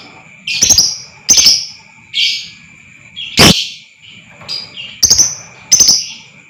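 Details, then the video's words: Lovebird provocation sound for long trilling (ngekek): a rapid series of piercing squeaks and short raspy chirps, roughly one every half second to second, one louder harsh burst midway, with a continuous high whine underneath. "lb AKAN TERPANCING NGEKEK PANJANG,DAN GACOR Dengar Suara ini Super Ampuh Naikan Emosi Lovebird Pakum"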